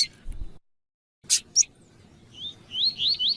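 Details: Double-collared seedeater, a fibra bird kept by breeders for song tournaments, heard where a female's calling is used to excite the male: a few sharp clicks, a pause, then a quick series of high, rising whistled notes.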